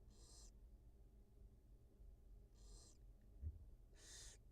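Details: Nest-camera sound of wild barn owls, a mother feeding two newly hatched chicks; three broad, breathy hisses about two seconds apart, a soft tap between them, steady hum beneath.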